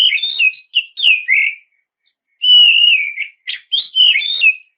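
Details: Oriental magpie-robin song for provoking rivals: warbled whistled phrases, a pause, a long level whistle slurring downward, then more varied whistles and warbles.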